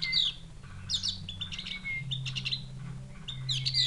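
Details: Javan grey-throated white-eye from the forest of Mount Wilis, Java, a bird being tamed; its call is likened to a chick calling its mother. Continuous bright chirping with downslurred whistles, over a low hum.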